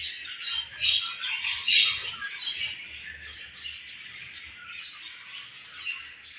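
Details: Home-bred baby budgerigar: bright, rapid chirping with sharp squeaks peaking in the first two seconds, then easing into a steadier, quieter chatter over a low hum.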